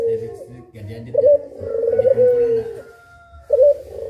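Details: {'text': 'Two puter pelung doves in a tutoring recording for songbirds: deep, drawn-out cooing that swells and holds for over a second, then fades, followed by the start of another coo.'}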